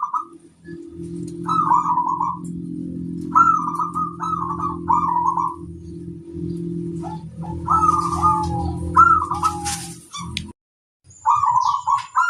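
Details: Zebra dove, a local singing bird, calling to challenge rivals: short rolling, warbled cooing phrases repeated every second or two with brief pauses, over a constant low droning hum and faint higher chirps.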